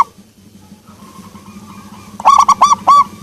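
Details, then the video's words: Soft-voiced local zebra dove, perkutut, begins with faint repeated notes that build into a cluster of four fuller coos near the end, against a constant low hum. "perkutut lokal suara empuk"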